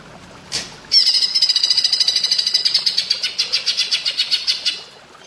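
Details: Greater green leafbird (cucak ijo) with platuk bawang style song: a sharp click, then a sustained, rapid, high ringing rattle that slows and softens toward the end.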